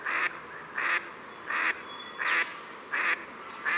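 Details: Pacific black duck calling loud, nasal, rasping quacks in a steady series, one roughly every 0.7 seconds, each short and flat-toned, against a quiet hissing background.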